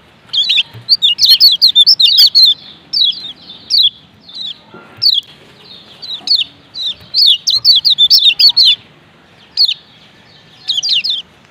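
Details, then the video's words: 'Ciak ciak' calling of a male lemon-bellied white-eye, Lombok type: clusters of quick, high, descending chirps alternating with isolated notes and short pauses, repeated through the recording. "Ciak Ciak Kecial Kuning BERINA JOSS JANTAN"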